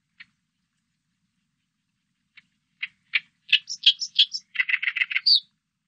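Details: Oriental reed warbler, recorded by Korea's National Institute of Biological Resources in 2020: a few spaced harsh notes build into a fast, chattering run of grating syllables with squeaky high inserts, ending on a sharp upslurred note.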